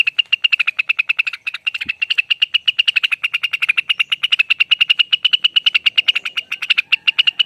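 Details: Lesser green leafbird, locally called cucak wilis or rengganis, giving a long ropel song: a rapid, steady series of sharp, clipped notes repeated about seven times per second for the whole stretch, with a brief low thump near the start.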